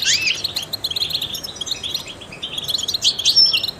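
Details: Goldfinch, a trained bird, singing to encourage other songbirds: a bright rising and falling opening note, then fast tinkling twitters, closing with a thin pure whistle and descending liquid slurs.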